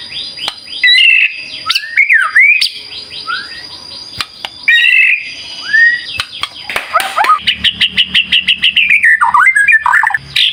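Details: Murai batu singing energetically as a lure for other birds: bursts of clear whistles, quick upward and downward sweeps and rapid chattering notes, ending in a fast run of repeated clicks with a faint low buzz underneath.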